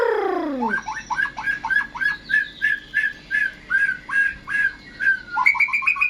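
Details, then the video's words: White-rumped shama, a caged contest bird in Indonesia in strong singing form: a falling opening sweep, then a rhythmic series of short sharp whistled notes, about two or three each second, rising at the end. "murai gacor siap masuk gantangan"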